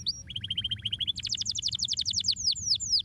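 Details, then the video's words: Canary singing in rapid bursts: a fast run of repeated mid-high chirps, then quicker, higher, descending trilled notes, ending with a few sweeping slurred whistles; faint low hum underneath. "som do chilrear canário"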